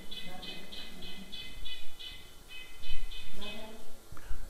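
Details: A Red-breasted Nuthatch, breeding in Hulls Gulch, Boise, Idaho, gives a run of nasal, tinny notes, about three a second. A man talks underneath with some low rumble.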